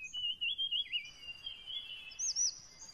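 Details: Sparrow described as blue-headed and orange, singing: clear whistled phrases that slide up and down in a warbling line, joined near the end by a higher, looping whistle, with soft background hiss.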